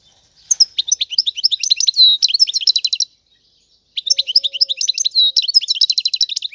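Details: European goldfinch singing: two long bursts of rapid, high twittering and trilled notes with quick buzzy elements, split by a silent pause of about a second.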